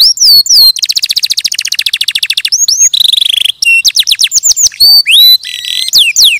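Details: Canary pouring out varied song: looping whistles, a long rapid trill of repeated notes, a buzzy lower rattle, then a mix of slurred and chipped notes.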